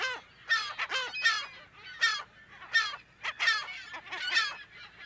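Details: California gulls calling from a colony, recorded close to mid distance: well-separated harsh, barking cries in irregular runs, each note rich in overtones and sliding down in pitch, over quieter background calls.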